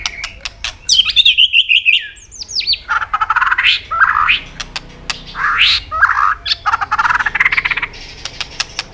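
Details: White-rumped shama singing hard with tạch clicks, aimed at stimulating other birds to sing: harsh, scratchy squawking phrases mixed with rapid clicks and brief whistled slurs, dense and busy throughout.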